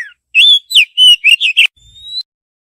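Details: Female Oriental magpie-robin calling to the male: a run of clear whistled chirps around mid-high pitch, some rising, some slurred, ending in a thin rising whistle; no other sounds.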